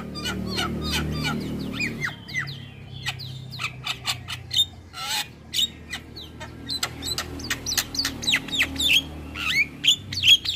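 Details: Mixed starlings sing for training other birds and prompting them to start singing. Rapid sharp whistles, upslurred and downslurred notes and chirps come in dense bursts over a low, steady droning music background.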